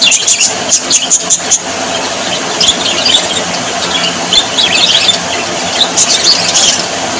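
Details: Happy budgerigars, small Australian parrots, warbling in a group. A burst of sharp clicking chirps comes first, then a lull, then bubbling squeaky twitters over a constant hiss.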